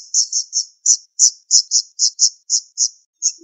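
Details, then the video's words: Siri-siri bird song used as a tutor recording (masteran), in a style called tembakan tajam speed rapat, meaning sharp, fast, tightly packed shots: about thirteen high, buzzy chip notes rattled off in under four seconds, with a brief low note at the close. "Masteran Burung Siri Siri Tembakan Tajam Speed Rapat"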